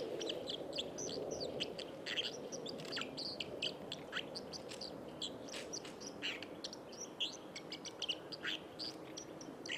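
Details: White-throated dipper beside the Lieser river, Wittlich, Germany, 2019, singing a long, restless stream of high chirps, buzzy notes and brief trills, with heavy rushing-water noise throughout.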